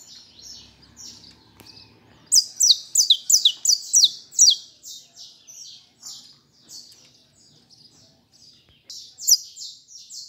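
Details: Captive saffron finch in fibra style. Faint, softer buzzy notes open the song, then a loud burst of rapid, high, descending slurred notes, then quieter trailing phrases and a final louder pair.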